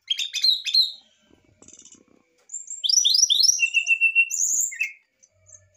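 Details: Brown-chested jungle flycatcher in an excited song meant to provoke a response: a burst of rapid chirps, then a run of quick rising whistled notes sliding into a drawn-out lower whistle, with high thin notes interspersed.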